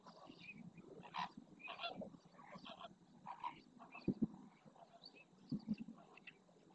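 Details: Flamingos displaying together in the Doñana marshes at El Rocío, Almonte, Spain, with neck stretching, quick head turns, wing opening and splashing; a dense chorus of harsh goose-like honks and gabbling, punctuated by a few sharp low knocks.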